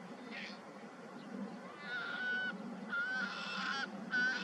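Bar-tailed godwit giving three nasal, slightly honking calls, each about half a second long, over a low steady rumble of wind or surf.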